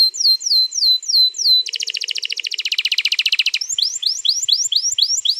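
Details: Canary giving a long rolling song meant to coax canaries into singing, recorded 21 April 2022: repeated down-slurred whistles, a fast rattling trill lasting two seconds, then sweeping rising-falling notes.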